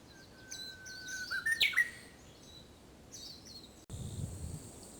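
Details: Early-summer song of a Japanese bush warbler, seasoned and fuller than in early spring: a sustained whistle followed by a sharp, twisting burst of notes. Then a short pause, a cut, and soft background chirps from other birds.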